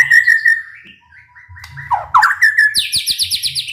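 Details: White-rumped shama song for provoking other shamas: steady whistled notes, a quiet pause, then tumbling lower notes and a fast run of high chirps, with low hum and soft clicks.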